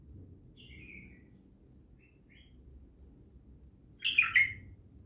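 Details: Bulbul with a faint thin whistled note, then a few soft chips, then a louder scratchy two-note burst near the end over low background hum.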